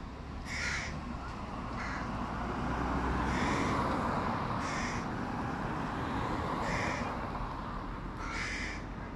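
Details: Hooded crow fledgling begging from a tree next to its mother while the male parent feeds a sibling fish; about six hoarse caws spaced one to two seconds apart, partly masked by a constant rushing background.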